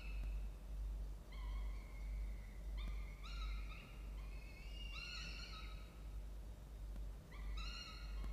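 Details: Peregrine falcon at a nest box in a water tower in Orange, New South Wales, Australia, early morning in October with young chicks, gives drawn-out, whining calls that waver and rise slightly, about one a second, over a steady low rumble.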